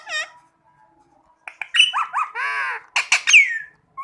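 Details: Rose-ringed parakeet, kept as a talking parrot, sounds one arched squawk, then a busy run of chattering notes, a drawn-out buzzy harmonic call and sharp screeches ending in a falling whistle.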